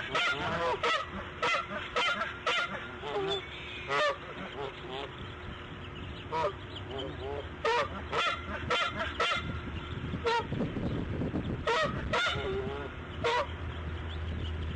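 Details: Bald eagle at the nest around laying of her fifth egg, morning of March 1, 2014: sharp, squealing chirps in short bursts separated by brief pauses, with a steady low hum and rustling underneath.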